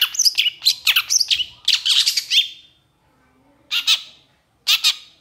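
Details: Long-tailed shrike in emotional long-burst song: a dense run of harsh, chattering squawks and slurred notes for nearly three seconds, then a pause and two short scratchy bursts.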